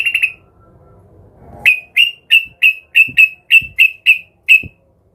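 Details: Excited yellow-vented bulbul looking for a rival, giving a series of sharp, clipped, bright notes about one every third of a second, clean and loud against a quiet background.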